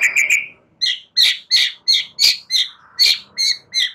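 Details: Young wild-caught White-rumped shama, newly out of the spotted juvenile plumage, in a luring recording for song: sharp, high, clicking notes repeated about three times a second, preceded by a short twittered burst.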